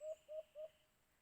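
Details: White-eared brown dove, locally called alimokun, at a cage-trap bird hunt: three short, low, hollow hoots on one steady pitch, each about a tenth of a second, given in quick succession and then silence, with faint high background hiss.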